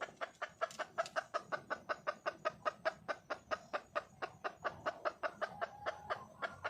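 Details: Red junglefowl hen calling for a male: a fast chain of sharp clucks, nearly three per second, sustained through about seven seconds with little variation.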